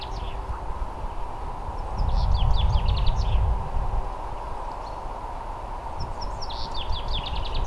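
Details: Adult male common chaffinch song, two bright phrases four seconds apart, each a quick descending run of notes ending in a flourish, over a low rumble of wind.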